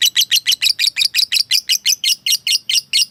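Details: Lovebird, a fighter bird, calling a rival: rapid series of harsh, high chirping notes, about five per second, steady and loud throughout.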